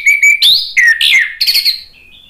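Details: Brief burst of anis merah (orange-headed thrush) song in gacor style: two level whistles, then a rising note and a quick jumble of scratchy, slurred phrases fading into quiet.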